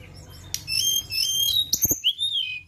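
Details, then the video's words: Flowerpecker lure song: a continuous run of high, thin, wavering whistles and sharp notes, ending in a downslurred whistle, with a couple of loud knocking clicks. "Pancingan Ampuh BURUNG TLEDEKAN"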